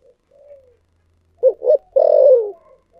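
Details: Single loud song phrase of a spotted dove in the 'giọng thổ sấm' (thunder voice) style. A quiet low coo is followed by two clipped notes and a rich, sustained coo that slides downward.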